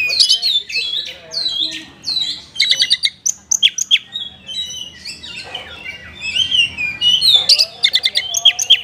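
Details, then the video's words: Lively Oriental magpie-robin song packed with varied borrowed notes, used to get lazy caged birds singing. Downslurred whistles and rapid chirp bursts, some sharp clicks, with a quieter stretch mid-way and soft background murmur. "TOP KACER GACOR isian mewah"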